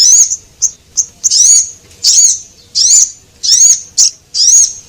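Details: Male and female Javan munia sounds used as a lure for small birds. Piercing high chirps with a bent, slurred shape repeat roughly every 0.7 seconds, led in by a few short squeaks.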